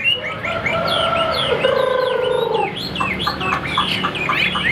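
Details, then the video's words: Caged Chinese hwamei song: long, even, slightly buzzy tones held for about a second, followed by short, high whistled notes and slurs. "Tốc độ mỏ quá ok, đầu mặt đẹp chất giọng cực kỳ hay | Họat Họa Mi"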